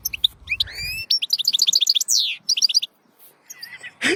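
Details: European goldfinch twittering quickly in high, bright chirps and rising slurred notes, including a short buzzy note. It breaks off briefly, then ends with a few scattered chirps.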